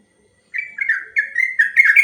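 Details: Sooty-headed bulbul long 'ropel' song used as master recording for training other birds: short burst of bubbly, slurred whistled notes around the middle pitch, quickening toward the end after half a second of silence.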